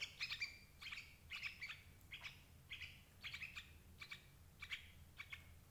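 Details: Sooty-headed bulbul calls used as a lure to trap adult birds: short, bright chirped notes in loose clusters of two or three, repeated roughly every half second to second, with low rumbling background noise.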